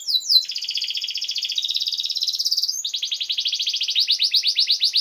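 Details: Singing canary, a master recording for teaching youngsters: a long rolling buzzy trill that shifts pitch partway, then a faster pulsed rattle of repeated notes.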